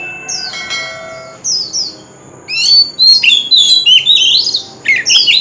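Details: Oriental magpie-robin singing, played to spur other birds to sing: a few spaced falling whistles, then a loud rapid run of varied sweet whistled and chattering notes, rising and dropping quickly, over a faint steady high tone.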